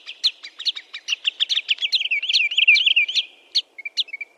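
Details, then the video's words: Sandpiper, recorded cleanly without other noise, giving a fast run of sharp high chirps that speeds into a short rolling trill, then pauses before a few spaced, thinner notes. "Tiếng chim dẽ hôi- choắt đêm"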